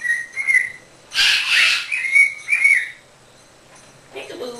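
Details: A pet Monk (Quaker) parakeet practising chatty talk indoors gives clear whistled notes, then a harsh, raspy burst and more slurred, rising whistles, ending with a faint low murmur.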